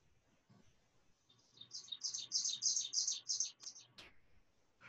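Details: An ovenbird, a warbler of the northeastern U.S., sings a quick run of about eight high, ringing 'teacher' phrases that swell in loudness over two seconds, followed by a sharp click.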